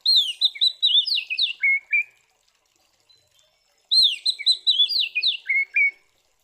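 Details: Oriental magpie-robin singing a loud fighting song meant to provoke rivals: two identical phrases about four seconds apart, each a quick run of sharp, falling whistles closing with two lower notes.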